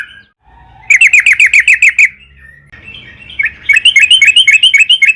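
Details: Lure song of a yellow-vented bulbul (trucukan) for making other birds sing: a tight series of sharp chirps, a short soft warble, then a longer run of bright, rising notes.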